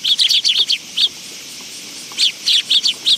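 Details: Several willow tits coming to a bench feeding spot, Tenmangu shrine, 10 August 2022: a quick run of clear high chips, then a one-second pause, then another burst of bright, close chips.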